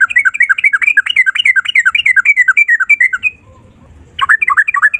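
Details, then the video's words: Yellow-vented bulbul in full, lively song: a long, loud, unbroken phrase of rapid chattering, warbling notes lasting over three seconds. After a short pause, another fast babbling phrase begins. "Burung trucukan gacor ropel 1 nafas panjang volume cucak rowo"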